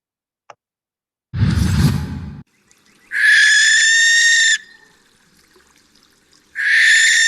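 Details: A barn owl gives its screeching shriek rather than a hoot: two drawn-out, harsh, rasping shrieks, the first about a second and a half long, after a short breathy rushing noise.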